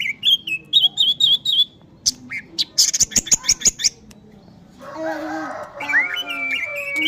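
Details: Orange-headed thrush singing: a run of short, wavering whistled phrases, then a burst of rapid sharp clicks and high notes, ending in a louder, noisier stretch with overlapping sliding tones.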